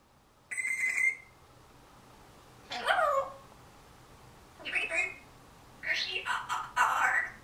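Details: Pet African Grey parrot, just over a year old, recorded indoors in September 2010 talking: a steady whistled note with overtones, then three separate bursts of speech-like syllables, each under a second, with quiet pauses between.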